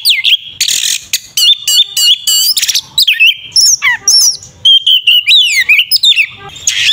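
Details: Oriental magpie-robin (kacer) fighting song, the Indonesian 'tarung ngeplong' style used to provoke a rival into aggression; loud, varied phrases of high whistles, buzzy trills, sweeping slurs and harsh notes in quick bursts, with short pauses between.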